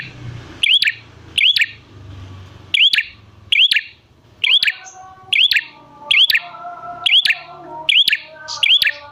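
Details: Prinia lure call used to set prinias calling: a run of about ten sharp clicking bursts, each with a rising whistle, nearly once a second, with faint tones in the background.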